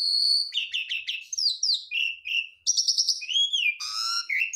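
A Javan pied starling sings a rapid medley of whistled and chattering phrases, shifting pitch and style every half second as it mimics other birds.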